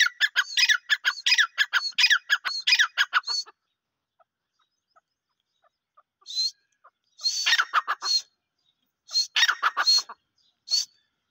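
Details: Francolin (dhakni teetar) calling in harsh, grating bursts. A dense series for about three and a half seconds, then a pause, then two shorter clustered bouts and a few brief squeaky notes against silence.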